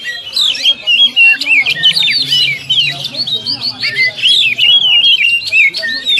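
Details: Dense nonstop warbling from an Oriental magpie-robin, training song for caged birds in the 'tembakan rapat' style: fast twisting whistled notes packed closely, roughly three per second, without real pauses.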